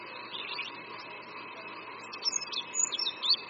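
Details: Oriental white-eye at Qingdao University, Shandong, China, in spring: after faint twitters, a short burst of high, squeaky, slurred notes rises out of a humming background toward the end.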